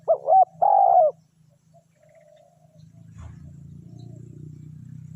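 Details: Decoy spotted dove luring wild birds, opening with one phrase of two quick hoots and a long, descending coo, followed by quiet and then a rising low mechanical hum.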